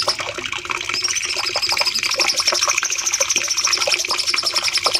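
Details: Bulbul, known locally as cucak cungkok, singing long bursts for a master recording used to train caged birds: dense, rapid chattering notes under a sustained high whistled tone, over a steady rushing, water-like background.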